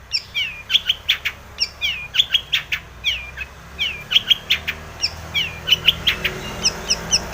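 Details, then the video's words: Long-tailed shrike, locally cendet, in full varied song meant to trigger another bird into singing; short downslurred whistles and sharp clicks delivered in uneven clusters, about thirty phrases a minute. "cendet gacor BIRAHI full isian ini MANJUR pancingan cendet agar bunyi JADI burung pentet gacor EMOSI"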